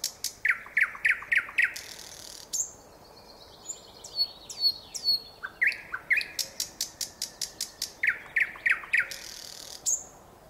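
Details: Nightingale in full song with varied phrases: bursts of rapid, sharp repeated notes, a high thin whistled passage, dense clicking trills and a final high note, all loud over a quiet background.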